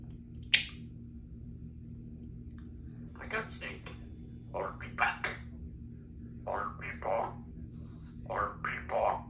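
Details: Three-year-old female Congo African grey parrot talking at home: short speech-like phrases in a few bursts, with a sharp click near the start and steady low indoor hum underneath.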